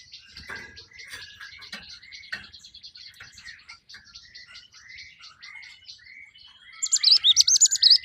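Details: Java sparrow singing in the wild: thin, busy chatter over a string of short down-slurred chirps, ending in a sudden burst of loud, looping, high ringing notes.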